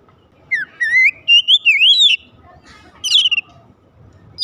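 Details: Oriental magpie-robin song used to lure other magpie-robins into singing: a rising whistled phrase flowing into wavering, undulating notes, followed after a gap by a brief sharp burst.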